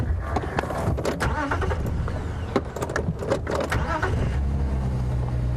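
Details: Car engine rumble with clicks, rattles and faint speech, and no animal calls.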